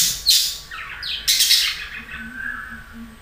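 A budgerigar gives a rapid warbling chatter of scratchy, buzzy bursts and short squawks, easing into softer, lower twittering notes over a faint indoor hum.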